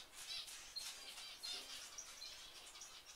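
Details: Finches kept in an indoor aviary chatter together, thin high twittering notes overlapping in a busy, steady chorus with faint rustling.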